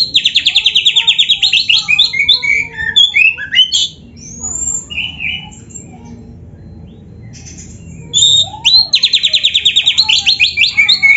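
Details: Kacer, the oriental magpie-robin, in a 'full isian' training recording for caged birds: rapid stuttering trills open and close the clip, with swooping whistles and scratchy notes between and a quiet lull in the middle.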